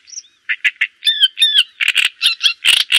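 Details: Java sparrow song for luring and tutoring cage birds, opening with scattered chips, then tinkling, bell-like notes that build into a fast, dense chatter of clucks and trills.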